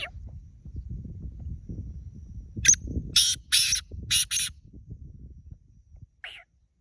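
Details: Black francolin calling in a natural setting: a short run of four or five harsh, grating, broadband notes in quick succession, then a lone fainter note after a pause, over low rumbling background noise.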